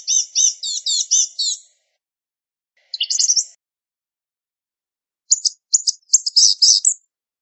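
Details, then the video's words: Blue-gray Gnatcatcher (Polioptila caerulea) singing thin, high, wheezy notes in quick jumbled bursts, three phrases separated by silent pauses. "Blue-gray Gnatcatcher Song! Call! Sound! Singing!"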